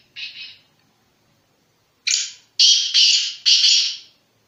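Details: Sindhi-strain black francolin from Sanghar district, Sindh, calling: one short harsh rasp, then after a gap a run of four loud, grating, buzzy notes delivered rapidly. No other sounds are heard.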